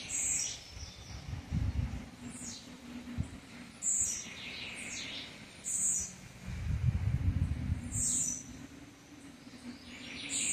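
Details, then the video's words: Blue-black grassquit in campainha song. High buzzy bursts repeat roughly every two seconds, mixed with descending chirps. Low rumbling noise swells at intervals beneath. "TIZIU CANTO CAMPAINHA"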